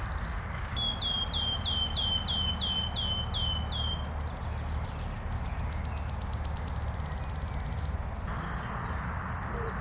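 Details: Wood warbler singing in Minsk, Belarus, in April 2025: a run of about eight high, evenly spaced ticking notes that speeds into a long, shivering metallic trill, over a low rumble of background noise.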